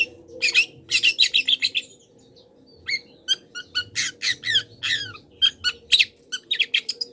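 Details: Long-tailed shrike master song with wild-bird mimicry for training cage birds: rapid rattling runs of harsh notes, a pause, then varied chips, downslurred whistles and scratchy bursts in quick succession.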